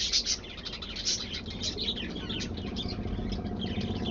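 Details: Cockatiels bathing together chirp in a busy, overlapping chorus of short, high twittering notes.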